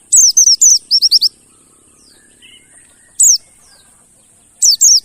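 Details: Pleci (mountain white-eye) lure recording for making birds sing: an opening flurry of quick, high, falling notes, then single and paired downslurred notes after gaps. A constant thin high tone lies underneath.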